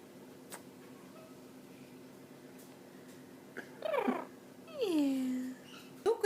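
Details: Pet Eclectus parrots chatting with their owner indoors: after quiet room hum, a rough falling squawk, then a longer smooth whistle sliding downward, and a short sharp note at the end.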